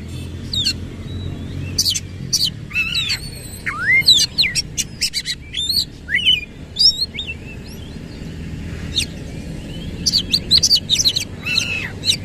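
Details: Oriental magpie-robin (kacer) in full song, fanning its tail wide, in a loud 'nembak ngerol' style: rich whistled notes that rise and fall, with sharp high clicks and chips delivered in dense bursts over a low background hum.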